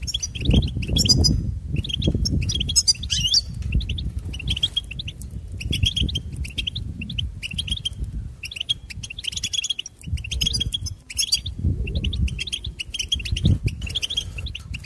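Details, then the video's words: Goldfinch song: lively jingling phrases of high chirps and trills, repeated in bursts every second or two with brief gaps, against steady low-pitched background rumble. "Goldfinch Serenade"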